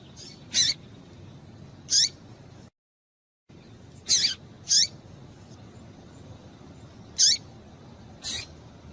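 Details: Female double-collared seedeater calls to excite males: short high chirps in twos and singles with a hooked, falling ending, broken by a brief total silence midway.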